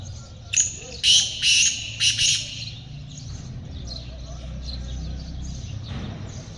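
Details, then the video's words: Black francolin recorded during a hunting outing: a short run of harsh, grating squawks, loud bursts packed into about two seconds, then quiet outdoor background. "teetar ki awaz"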